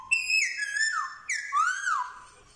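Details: Black-throated laughingthrush in Vietnam, recorded 15/10/2021, singing while trained in wild-style song and mimicking dogs, cats and chickens; two rich whistled phrases with strong overtones, each stepping down then sliding up and falling, in a quiet room.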